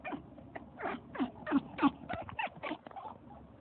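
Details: A pet African grey parrot imitates a puppy to wake its owner, giving a rapid run of short, squeaky whimpers and yips, about three a second, some dipping in pitch, over faint room noise.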